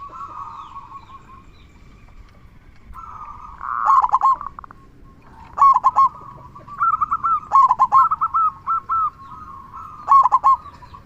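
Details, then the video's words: Local zebra dove with a big 'kung' voice, singing actively: soft level cooing near the same pitch breaks into loud staccato rolled coo phrases, several bursts in quick succession through the second half, with overlapping softer cooing behind. "Perkutut Lokal Gacor Suara Kung Besar Pancingan Burung Perkutut Agar Bunyi"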